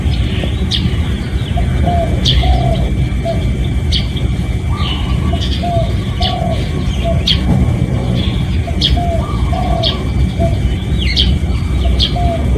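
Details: Spotted dove cooing, used as a decoy call to lure other doves: soft low hooting coo phrases repeated every few seconds over a loud steady rumble, with faint chirps of other birds.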